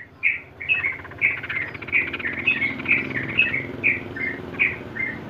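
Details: Sooty-headed bulbul master song for ropel training: short whistled notes and quick pairs, repeated unevenly over a buzzy background.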